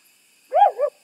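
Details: An African wood owl calls from a neighbouring property at Lindsay Forest, KwaZulu-Natal, South Africa, on a chilly July winter Sunday morning: one short, rich hooting note that swells up then dips in a double lilt, otherwise quiet.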